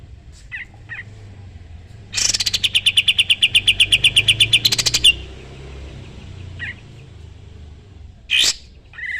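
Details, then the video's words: Sooty-headed bulbul singing vigorously, used as a training model for other songbirds: soft short notes, then a loud rapid trill of about twenty sharp repeated notes lasting three seconds, followed by a brief burst and quieter chirps. "Masteran burung kapas tembak gacor"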